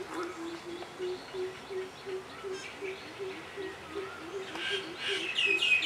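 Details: Coppersmith barbet perched and calling: a steady series of low, hollow, knocking notes, roughly two to three per second, with faint higher chirps of other birds and rising background noise near the end.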